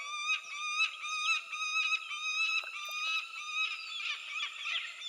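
A peregrine falcon gives a nasal, rich-toned whining call, pulsing about twice a second, with harsher, wavering notes building toward the end.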